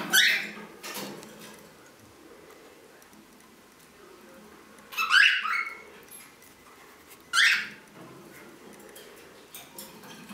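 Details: Green-naped lorikeet calling with three harsh, raspy screeches, spaced several seconds apart, against a quiet background with faint rustles.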